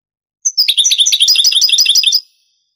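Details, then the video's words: Old Spanish 1980s–90s tape of European goldfinch singing in the Granada style: a thin high whistle opens, then a fast, bright chatter of repeated twittering, slightly buzzy notes runs for nearly two seconds before stopping. "CD ANTIGUO DEL CANTO DEL JILGUERO Años 80-90 شريط تغريد إسباني قديم"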